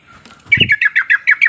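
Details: Sooty-headed bulbul lure call, used to get lazy birds calling and answering back: after a brief rustle, seven quick, bright chirping notes follow one another at an even pace.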